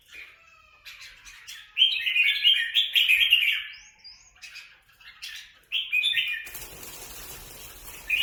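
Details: Red-whiskered bulbuls, kept but let free, fighting in Quảng Nam: scattered faint chips build to a dense, rapid, scratchy chatter. Near the end the chatter gives way to a hissing rustle.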